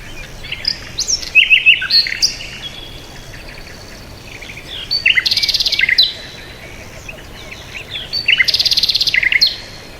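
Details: High bird twittering with slurred whistles early on, then two bursts of fast buzzy trills, around five seconds and again near nine seconds, against light background noise.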